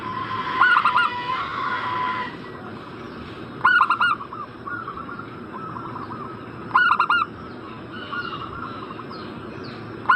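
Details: Zebra dove call played to get a bird in breeding condition to reply: loud rolling bursts of three to four coos repeating about every three seconds, with quieter overlapping cooing from other doves and steady hiss.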